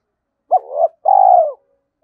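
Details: Decoy spotted dove, kept for luring wild doves, giving its calling coo in a 'two ending' style: a short rough note followed by a longer, steady, faintly pulsed mid-pitched coo that fades out. Clean, quiet background.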